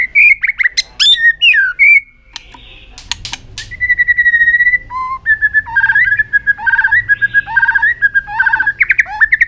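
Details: White-rumped shama in aggressive tail-flicking display aimed at stimulating other birds: a varied medley of sharp clicks, short whistles and a held tone, then repeated dipping two-tone phrases in quick succession.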